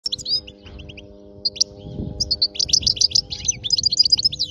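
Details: European goldfinch, a wild-caught bird from region 86, singing a fault-free song: quick twittering runs of high tinkling notes and buzzy trills, growing denser in the second half, with steady low hum underneath.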